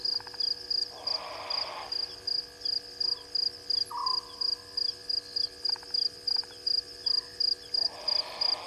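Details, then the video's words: At night by Gowrie dam in South Africa's Djuma Game Reserve, a grey heron gives rough, hoarse croaks near the start and end, each roughly a second long, beneath a continuous rapid insect pulsing and a few short frog-like notes. "Grey Heron calling"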